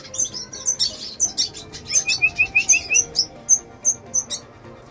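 A red siskin sings a fast, high twittering song of sharp chirps, with a quick run of clear repeated notes in the middle. Faint tonal background music underneath.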